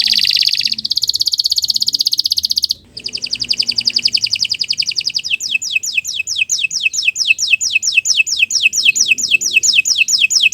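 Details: Long morning canary song for training other birds: a high buzzy trill, a brief break, a fast rattling series, then many rapid down-sweeping notes repeated steadily.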